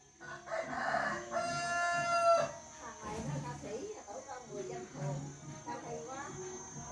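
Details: Rooster crowing, recorded 19 August 2021: one drawn-out, harmonic-rich crow lasting about two seconds, followed by murmuring voices and clatter, with a steady high electrical whine throughout.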